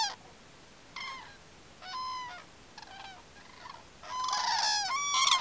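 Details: Common cranes at Campo Maior give loud, trumpeting, rolling calls in overlapping bursts about every second, building into a dense chorus of several birds at the end.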